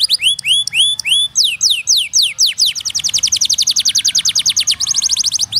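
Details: Canary singing a fast, bright song. It opens with a few looping whistled notes, then moves into rapid rolling trills of sharp downward-sweeping chirps, about three or four per second, steady and loud throughout.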